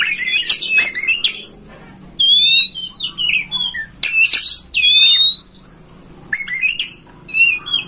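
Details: Oriental magpie-robin song used as a master recording to make a kacer open its tail and sing; bursts of harsh buzzy chatter alternate with clear, drawn-out rising whistles separated by short pauses.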